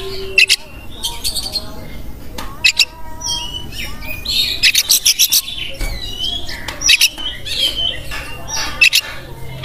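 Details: White-rumped shama singing energetically: varied loud phrases of sharp high whistles, rapid buzzy bursts and squawky notes in irregular succession, with a steady low tone humming beneath throughout.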